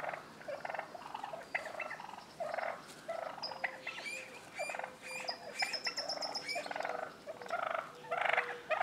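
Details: Several wild turkey toms in a street fight spilling into a front yard, Willits, California; repeated rattling gobble bursts overlap throughout, with thin high whistled notes above and a low steady tone.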